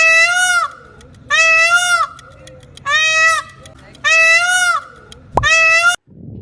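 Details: Peacock, the dancing bird: five loud, ringing, nasal wails, each rising then dropping sharply, repeated about every one and a quarter seconds, with a low hum between calls and a sharp knock near the end.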